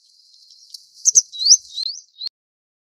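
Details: Grey wagtail calling: a thin, high, rapid twittering series of sharp chirps and brief upward-sweeping squeaks lasting about two seconds, against a quiet background.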